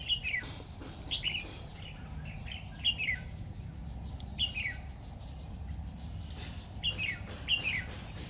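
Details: Decoy red-whiskered bulbul of the Lung tom type singing while trapping on 12 September 2019: brief descending warbled phrases repeated roughly every one to two seconds, with constant low background hum.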